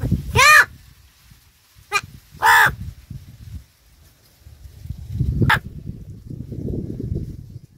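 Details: Crow giving loud harsh caws, three separate calls spaced irregularly, with low rumbling background noise afterward.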